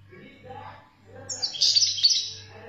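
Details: European goldfinch singing, a bright burst of rapid high twittering notes after a quiet start, with a steady low hum throughout.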